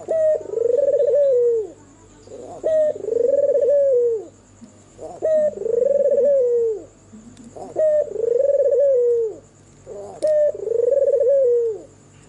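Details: Albino white turtle dove with red eyes, singing at night: five low, mellow coos repeated about every two and a half seconds, each starting with a short note, swelling into a rolling, throbbing middle and sliding down at the end; faint steady high whine behind.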